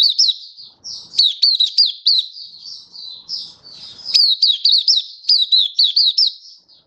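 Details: Malaysian white-eye, a kept hobby bird, singing happily in Singapore on 20 March 2023 in stable, warm, sunny weather; high, rapid twittering phrases of quick up-and-down slurred chirps, loud bursts alternating with softer warbling.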